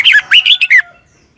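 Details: Single short phrase of a Red-whiskered bulbul from Thailand, from a doubled-style southern master song played for young birds to copy: five quick, clear whistled notes, rising and falling, then silence.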